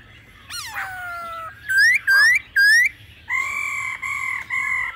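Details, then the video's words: Laughingthrush singing in an old wild-forest voice alongside female calls: a long falling whistle, three loud upslurred notes, then a string of steady level whistled tones. "Khứu hót giọng già rừng kèm tiếng mái siêu kích bổi.kích bổi hót căng mỗi ngày"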